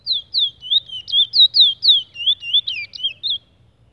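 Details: Brown chestnut-bellied seed finch (Trinidad "bullfinch") sings a fast, sweet warble of slurred, whistled notes, about four per second, for over three seconds, with a faint low rumble underneath.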